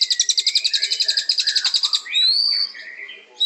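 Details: Murai batu, the white-rumped shama, in song used to make birds aggressive: a fast run of about twenty sharp high notes, then long rising and falling whistles, ending on a sudden loud high note.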